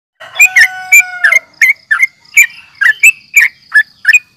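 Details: Yellow-vented bulbul in a lure recording meant to provoke rival birds, giving a fighting call: rapid burst of sharp chattering notes, each bending downward, with a few longer whistled tones at the start.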